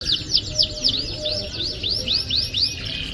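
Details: Canary song used as a lure to prompt a canary reluctant to sing: a quick series of bright, sweeping chirps, each slurring down then up, repeated about four times a second over faint low background hum.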